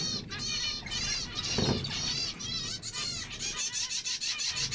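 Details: Zebra finch song with nasal, buzzy repeated notes and a short louder squeaky burst midway; busy high chatter throughout, slight low noise.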